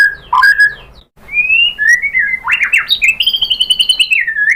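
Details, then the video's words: White-rumped shama song for provoking other birds to sing: varied whistled phrases, a zigzag run of notes, then a long high sustained note with a fast rattling pulse. "KICAUAN MURAI BATU bikin NYAUT ikut BUNYI jadi GACOR BONGKAR MATERI ISIAN ¦ PANCINGAN MURAI"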